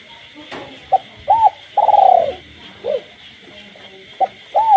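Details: A caged spotted dove coos at night amid a village frog chorus: one full phrase with a long trembling middle note and falling end, then the start of a second phrase.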